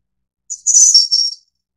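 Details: One thin, high-pitched phrase from a Snowy-browed flycatcher (Ficedula hyperythra innexa): a short pip, a brief gap, then a quavering trill that steps slightly lower before stopping, in silence.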